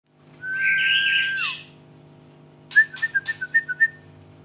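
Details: Kept white-rumped shama in training, its song said to be starting to show emotion; a long steady whistle of about a second, then eight quick, evenly spaced clipped notes in a fast run.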